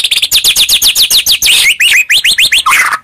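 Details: White-rumped shama song used to provoke a reply: a rapid, even series of about twenty sharp downslurred notes, ending in a harsher burst.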